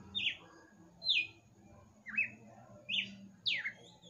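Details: Red-cowled cardinal, a kept bird, singing late at night: loud clear whistled phrases, each sliding down sharply from high to lower pitch, given about every second, with a faint low hum behind.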